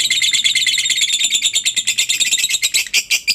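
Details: Lovebird chattering used as a lure for other lovebirds: a dense, shrill, rasping stream of rapid high notes with a faint low hum beneath.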